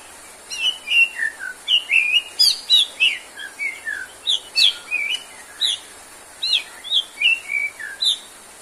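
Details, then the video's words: Actively singing white-rumped shama, used as a therapy track for birds lacking stamina: fast, varied phrases of sharp whistles and high, sweeping chirps, repeated in bursts with brief pauses between. "MURAI GACOR!!~TERAPI UNTUK MURAI BATU YANG KURANG STAMINA ATAU NGEDROP"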